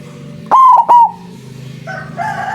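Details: A single loud, clipped coo phrase of three notes from a white zebra dove used as a trapping lure, followed by softer calls from other birds and a low hum.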